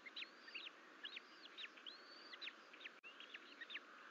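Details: Bald eagle twins left alone in the nest at Fort St Vrain, 14 April 2024, crawling out of the bowl; high arched whistles paired with quick stuttering chips, repeated every half second or so, one brief dropout, background hum.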